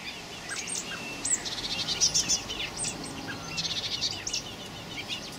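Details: Common blackbird young, 26 May 2018, giving rapid runs of shrill, high-pitched chirps, several calls a second in short excited bursts, with a faint low hum underneath.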